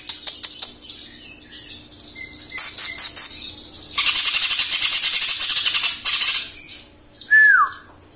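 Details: Young caged greater green leafbird in Samarinda, past its juvenile plumage and nearing moult, sings varied sharp clicks and short whistles, then a long rapid buzzy trill, ending with a clear downslurred whistle.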